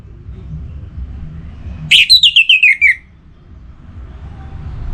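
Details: Caged orange-headed thrush from north Bali, in breeding condition, calling a rival: one loud phrase opening on a sharp note, then a rapid stepping-down series of about seven pulsed notes, with a low rumble before and after.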